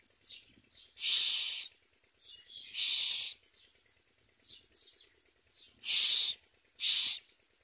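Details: Hungry common myna chicks beg with harsh, hissing rasps, each about half a second long, in four loud bursts at uneven intervals, with fainter rasps between them.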